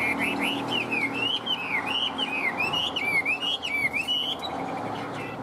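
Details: Caged Chinese hwamei in peak singing form, kept as a cage bird in Vietnam: loud clear whistled phrases, a run of arching up-and-down notes repeated rapidly over five seconds, with faint low hum behind.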